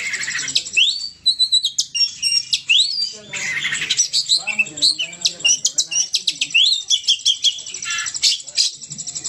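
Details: Kept Oriental magpie-robin, known locally as kacer, in loud, frenzied song: rising whistled sweeps mixed with dense bursts of scratchy, buzzy chatter and rapid trills, delivered almost without pause.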